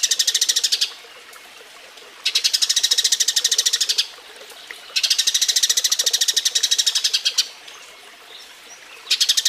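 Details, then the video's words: Mating call of a Eurasian tree sparrow, used as a model for teaching songbirds: bursts of roughly two seconds of fast, evenly spaced buzzy chirps, separated by quiet gaps of one to two seconds. "Masteran Burung Gereja Kawin"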